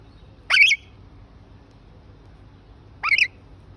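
A rainbow lorikeet gives two harsh, grating screeches about two and a half seconds apart, each short and rising, over a quiet low hum.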